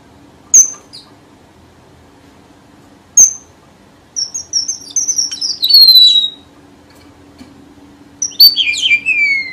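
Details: Red avadavat lure song used for bird trapping: sharp high chips, then a run of thin whistled notes sliding downward, ending in a buzzy, falling trill. A steady low hum sits underneath.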